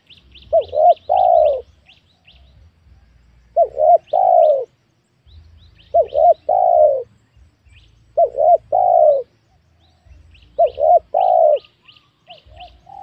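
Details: Spotted dove being lured in the wild on newly worked land planted with young oil palms: repeated three-part coo phrases, two short hooted notes and a longer falling coo, about every two and a half seconds, with faint high chirps of small birds above.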